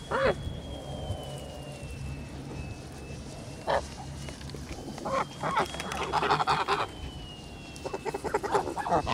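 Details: Domestic Kholmogory geese on a farm, 10.08.2017, calling in scattered harsh honks, one early drawn-out call, then a cluster of rapid overlapping honks near the end, under a thin continuous whine.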